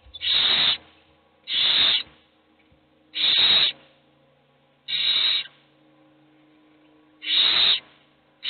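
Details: Hungry owl chicks beg while a single one is fed: five steady, airy hissing screams, each roughly half a second, repeated at uneven intervals of about 1.5 seconds.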